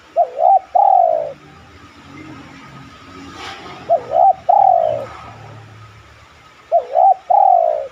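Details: Spotted dove cooing, a lure recording used to prompt other doves to coo in reply; three phrases about every three seconds, each a short wavering double note followed by a longer falling coo, with faint background hum.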